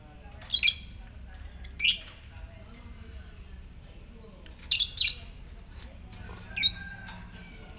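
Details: Ngetik chirping from a fighter lovebird, used to rouse other lovebirds to ngekek: paired short, shrill chirps in clusters every two seconds or so, over a low background hum.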